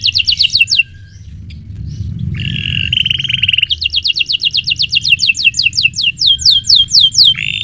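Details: Canary in full, prolonged song used as a training lure for magpie robins: rapid series of high descending whistled notes, a buzzy rattling trill midway, then quick repeated sweeping notes, with faint low background hum.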